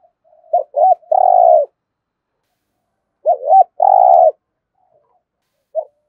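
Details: Spotted dove giving the 'thúc gù' style of coo: two phrases, each a brief note, then a short flat coo and a longer rolling, slightly falling coo, with a lone short note at the end. No other sounds.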